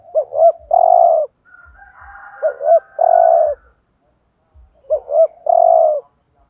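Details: Decoy spotted dove giving 'thúc gù' coos to excite wild doves. Three repeated phrases about two seconds apart, each two short looping notes and then a long, strong coo, with quieter buzzy notes between the first two phrases.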